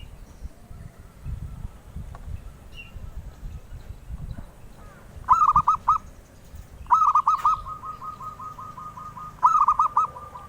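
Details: Melodious zebra dove song, from a bird sought by collectors: three phrases of stuttering, mellow coo notes, the middle one trailing into a long even purring trill, over a soft low background rumble.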